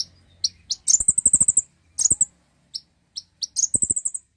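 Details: Common iora song used to prompt other birds to sing: high thin chirps near the top of the range, including a rapid run of about eight even notes, with scattered single chips between.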